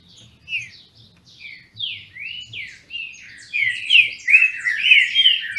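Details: Green-winged saltators kept in captivity in Brazil sing in a dispute. Spaced whistled slurs come first, then build into a loud, rapid, overlapping burst; a soft low hum runs underneath.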